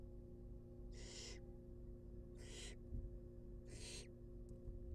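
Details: Wild barn owl nestlings being fed inside a nest box: three loud, rasping hiss-screeches spaced roughly one and a half seconds apart, then a faint click, over a continuous low hum.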